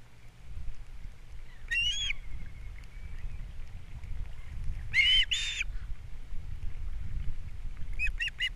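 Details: Nest-camera recording of a wild osprey pair on Captiva, April 3, 2022, male bringing breakfast fish, female feeding young; three bursts of shrill, whistled chirps, the last a rapid stuttering series, over constant low wind noise.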